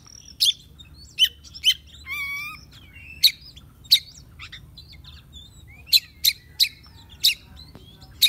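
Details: Oriental magpie-robin, a young bird being tamed, giving sharp, abrupt notes at irregular intervals, mixed with thin whistles and one short nasal buzzy note.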